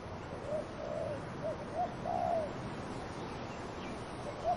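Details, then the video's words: A dove cooing in a series of short soft notes building to a longer wavering coo, with light wind moving through trees behind. "Dove cooing wind in trees"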